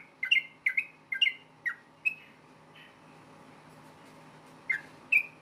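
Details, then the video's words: Rapid 'ropel tarung' fighting song of a yellow-vented bulbul, meant to provoke other bulbuls into answering: a quick burst of sharp whistled notes, some doubled, then a pause of nearly three seconds before two more notes, with a faint background hum. "KICAU SUARA trucukan gacor ROPEL TARUNG NEMBAK ampuh BIKIN agar burung trucuk gacor NYAUT SEKETIKA"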